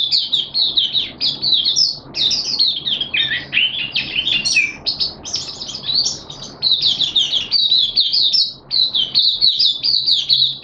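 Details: Malaysian mata puteh (Oriental white-eye), a hobby bird in happy open singing on 25 February 2023: long run of high, quick, tumbling twitters and warbled phrases, almost without pause.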